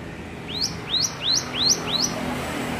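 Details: Hill prinia learning to sing, giving five clear rising whistled notes, each sweeping sharply upward and spaced about a third of a second apart, against faint background noise.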